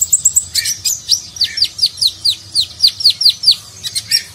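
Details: Sunbird (konin) in nagen style, used as training recording for contest birds: fast series of high downward-sweeping whistled notes repeated about four times per second, opening with quick thin tweets, faint low hum behind.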